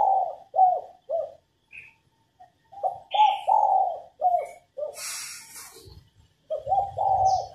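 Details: Female spotted dove coos to encourage males to sing, repeating low rounded note groups; a burst of hissing noise interrupts midway, a low rumble closes the recording, and high chirps appear briefly.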